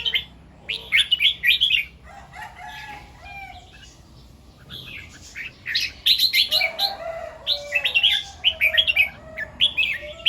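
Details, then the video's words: Morning song of a red-whiskered bulbul, delivered in the doubled 2-3 and 'rik' styles: rapid clusters of rich, bubbling whistles, a quieter stretch of low whistles midway, then dense repeated phrases again. "เสียงนกกรงหัวจุก ร้องเบิ้ล2-3 ร้องริก"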